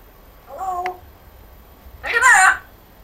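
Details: Pet African grey parrot that speaks in a Yorkshire accent, giving two short speech-like utterances: a brief harmonic phrase, a pause, then a louder, rougher burst of talking.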